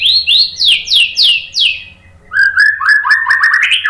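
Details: Murai batu, the white-rumped shama, singing to provoke fighter males into replying: a series of loud descending sweeps, a brief gap, then a fast chattering run of lower whistled notes climbing in pitch.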